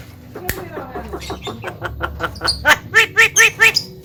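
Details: Common myna kept at home, a talking bird able to cough, laugh and call to girls, giving a rapid series of harsh, squawky repeated notes that speed up and grow louder, around thirteen bursts in four seconds.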